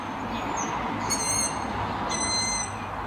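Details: Young long-eared owls calling on an evening between about 19:30 and 21:00 from trees including spruces in the town of Martin, Slovakia: two thin, squeaky, creaking-gate whistles about a second apart over steady hiss.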